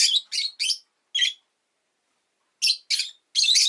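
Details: Harsh, high chirps from a rosy-faced lovebird come in quick clusters: three rasping notes, a lone call, a pause of over a second, then more scratchy chirps ending in a longer burst.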